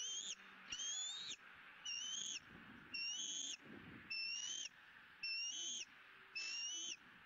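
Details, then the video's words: Bald eaglet being fed its second fish of the day, Southwest Florida nest, 20 April 2017, squealing with joy. Seven evenly spaced, high whistled squeals, each slightly upslurred, about one every second. "The second fish for E9~E9 is Squealing"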